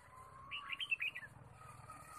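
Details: Wild red-whiskered bulbul, forest bird-trapping outing, 23 March 2017: a short run of lively slurred whistles, some sliding downward, over a constant low hum and a thin background tone.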